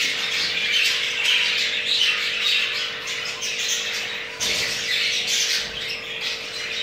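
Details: Mating crested jumbo male budgerigar from a pair with two eggs; rapid rasping warble and chirps about twice per second, a brief thump midway, steady hum beneath.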